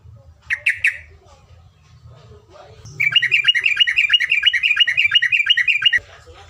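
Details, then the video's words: Yellow-vented bulbul in a tutor recording of the long 'ropelan panjang' style: two short bright chirps, a pause, then a fast run of about twenty clipped notes repeated several times a second, steady and high. "MASTERAN TEROCOK, GAMPANG BUNYI..ROPELAN PANJANG"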